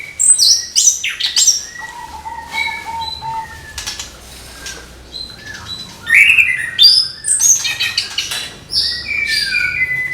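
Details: Orange-headed thrush in morning song: a rapid jumble of high chirps and whistles, a long level low whistle, then dense shrill trills and falling whistled notes in lively, irregular bursts.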